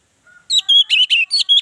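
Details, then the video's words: Orange-headed thrush, its song used to provoke other birds into voice: after a faint thin note, six loud rich whistled syllables in quick steady succession, slightly buzzy. "Pancingan ampuh Anis merah bikin yang lain bersuara"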